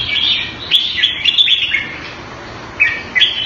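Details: Caged red-whiskered bulbul kept in Singapore, Thai style, 2018: a lively chain of chirpy whistled notes, then a pause, then two short sharp phrases.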